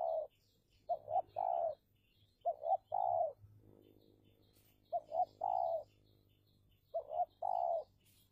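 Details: Decoy spotted dove in Indonesia during a territorial contest with wild doves, cooing steadily: repeated phrases of two short coos followed by a long coo, four phrases, with a low hum and faint high bird chirps behind.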